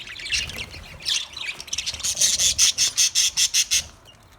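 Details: Budgerigars calling while eating, scratchy chatter at first, then a fast series of about ten evenly spaced, sharp high chirps in under two seconds before falling quiet.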